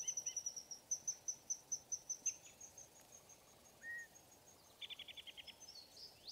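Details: Downy woodpecker call: a quick series of sharp high notes at an even pace for about two seconds, then a pause with a short slurred note and a brief rapid burst of notes near the end.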